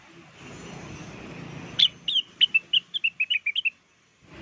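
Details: Rengganis, the blue-winged leafbird, in an actively singing lure recording: after a quiet start, one rapid phrase of about twelve sharp whistled notes, slightly descending, ending abruptly.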